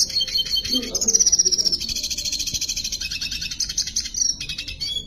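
A red siskin sings a fast, high twittering song with buzzy trills and rapid chattering runs that barely pause for five seconds.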